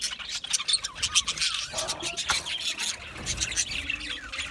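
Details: Chirping and singing of Australian budgerigars, said to be a contented sound: softer, uneven twitters and clicking chirps, with brief louder squeaks rising out of the mix.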